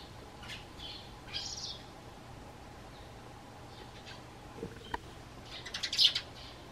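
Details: Eurasian tree sparrow kept as a pet indoors, answering its owner's whistle. Faint high whistled notes drift by early on, a single click follows, then a tight burst of bright, scratchy high chirps near the end.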